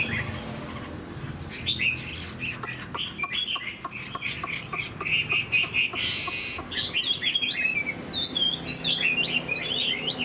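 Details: Chinese hwamei kept in a cage while moulting: sharp clicking and tapping noises first, then bright, looping whistled phrases rising and falling near the end.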